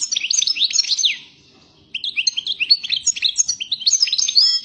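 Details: A European goldfinch called 'pyromeni' (fired up) sings two bursts of quick liquid twittering, rising and falling chirps tumbling together, separated by a pause of about a second.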